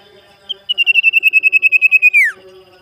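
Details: Common Iora (sirtu), a well-kept tame cage bird, calling out for a rival: one short high note, then a sustained, rapidly beating whistle of about fifteen pulses that falls away steeply at the end.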